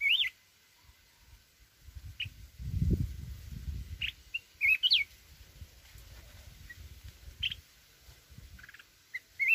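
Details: Red-whiskered bulbul from the mountains giving wild-type song: brief bright whistled phrases with quick up-and-down slurs, spaced by pauses of a few seconds. A soft low rumble swells in the middle.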